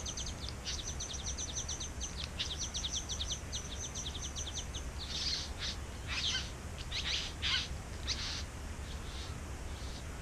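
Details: Back-yard bowerbird, one of a nesting pair, gives a rapid run of high dry ticks for several seconds, then a string of harsh hissing rasps at irregular intervals.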